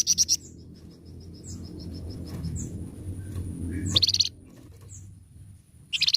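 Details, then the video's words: Flamboyan bird singing in short bursts of high, rapid chattering notes, with faint quiet chips between bursts and a low hum in the background. "burung flamboyan gacor mbeset"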